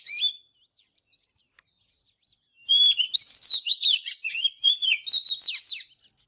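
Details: Oriental magpie-robin singing in the morning, for training another bird's voice: a brief whistled phrase, then quiet, then a long run of rich, fluttering whistles and quick chirps that rise and fall.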